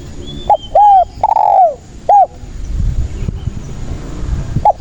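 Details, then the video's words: Spotted dove song intended as a lure for catching doves. One full phrase of quick coos ends in a long downslurred coo. Faint high chirps run under it, a low rumble follows, and a lone short coo comes at the end. "SUARA BURUNG TEKUKUR GACOR"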